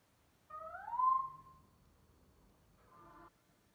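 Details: A black-throated laughingthrush sings and dances in the morning: a rich, rising whistle swells and levels off over about a second, and a brief, buzzier note follows after a pause.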